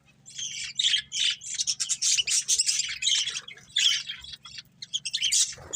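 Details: Breeding pair of budgerigars chirping: bursts of scratchy, warbling chatter, short notes packed into phrases under a second long with brief gaps, over a faint low steady hum.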